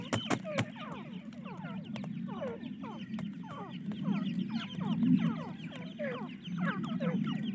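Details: Francolin (teetar) chicks, several together, giving a continuous chorus of thin, downward-slurred peeps that overlap rapidly, with a steady low hum underneath and a few sharp knocks at the start.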